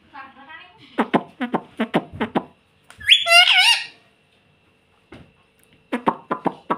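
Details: Pet ring-necked parakeet kept indoors, mimicking the words "mummy papa": a run of short clipped syllables, then a loud rising screech, then a further burst of brief repeated syllables.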